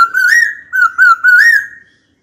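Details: Caged white-cheeked laughingthrush singing to provoke a rival to fight: a sustained, steady whistled phrase with gentle wavering bends and short breaks, ending abruptly into silence.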